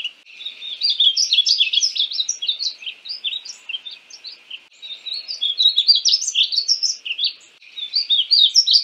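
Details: Long sequence of painted bunting warbling, three rapid phrases of high, jumbled chirps and twitters with brief breaks in between.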